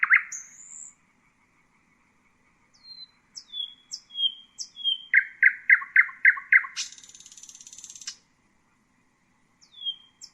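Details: Common nightingale singing: pure whistled notes, a series of descending whistles, then a fast repeated chopping phrase of about six strong notes, followed by a buzzy rattling trill and a few final whistles, with silent gaps between phrases.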